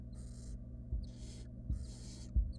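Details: Barn owl nestlings begging in a nest box while the female delivers a rodent they swallow quickly; long broad hissing screeches back to back, with soft thumps and scuffling between them and a low constant hum.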